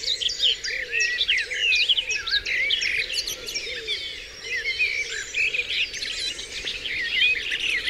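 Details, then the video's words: Birds of the dawn chorus on Dewlands Common, a thick tangle of bright whistled phrases and rapid chirps, with soft lower curved notes repeating underneath throughout. "Dawn Chorus"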